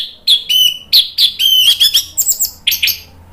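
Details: Orange-headed thrush in full, loud song, used to provoke other birds into answering. Varied high phrases follow one another quickly: sharp whistled notes, buzzy slurs and rapid chirps, with a faint low hum underneath.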